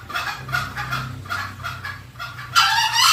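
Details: Lure sound of green junglefowl used to call them in: a series of short, regular clucks, then an abrupt, loud, raspy call that runs to the end.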